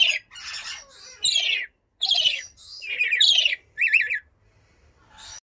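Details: Blue-streaked lory giving loud, harsh screeching squawks in several short bursts, with noisy buzzy shrieks, a rapid wavering warbled note near the end, brief silent gaps between calls, and little background noise.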